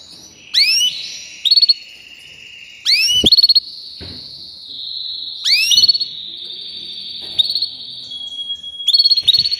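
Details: Canary with extended high rolled trills, sharp descending sweeps and repeated bursts of quick pulsed notes, the song running nearly without pause.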